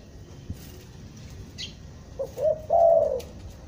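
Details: Stuttering-style lure call of a trapped spotted dove from Bandung, used for bird trapping. After a quiet start there is one phrase of short stuttered coos leading into a longer, slightly wavering coo that drops at the end.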